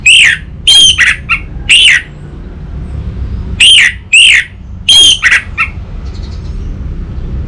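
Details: Orange-headed thrush lure and master recording for training a young bird: a series of loud, harsh, downslurred squawky notes in short clusters with brief gaps, over faint low rumble.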